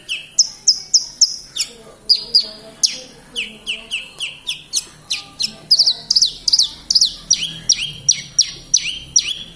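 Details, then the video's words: Horsfield's bush lark singing vigorously ('gacor') in Kediri, Indonesia: quick series of bright, high whistled notes, each dropping steeply in pitch, delivered roughly twice a second with some doubled and trilled phrases. "Branjagan gacor"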